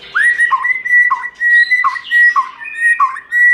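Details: Forest-voice song of a white-rumped shama: a steady clear whistled tone interrupted by dipping, slurred notes roughly every half second, sounding sweet and flute-like.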